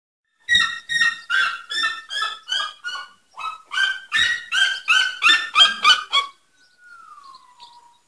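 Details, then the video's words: A red-legged seriema gives a loud series of about sixteen harsh, dog-like yelps, roughly three per second, ending in a faint falling whistle. "zvuk seriema"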